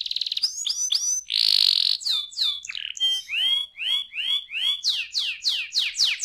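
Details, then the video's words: Young canary song with loud downward-swept whistled notes in repeated series, a harsh rasping burst near the start, then rising sharp chirps in quick succession. "ampuh membuat kenari muda gacor"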